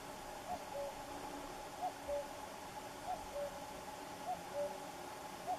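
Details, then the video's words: Common cuckoo singing at a distance: soft two-note cu-coo phrases, the second note lower, repeated about every 1.3 seconds over a steady hiss of background noise. "El canto del cuco"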